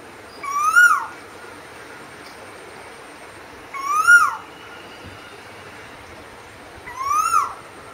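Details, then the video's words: Three rising whistled notes from a singing Asian koel, evenly spaced about three seconds apart against a calm, steady background. "குயிலின் அமுத கானம் - 3 | Singing Asian Koel - 3"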